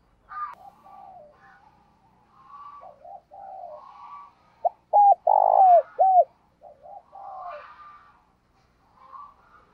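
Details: Decoy spotted dove calling in the morning to attract wild doves: one loud phrase of short hooked coos and a drawn-out coo mid-way, surrounded by softer chirps and warbling from other birds.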